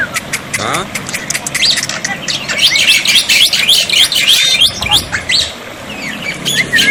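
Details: Black-winged myna song used as a tutor so silent mynas respond, recorded for water therapy: a rapid jumble of sharp chirps, clicks and short whistles, loud and near-continuous, with a soft low background rumble.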